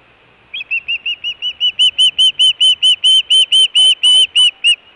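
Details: Nesting osprey in Hellgate, Montana, June 2017, food calling and alert calling at the nest: a run of about seventeen piercing repeated chirps that starts softer and grows louder and richer partway through.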